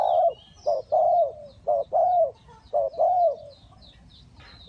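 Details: Decoy spotted dove at a bird trap in Ninh Thuận giving a run of deep, smooth coos, short notes leading into longer, slightly falling ones, about one per second, with thin high bird chirps behind.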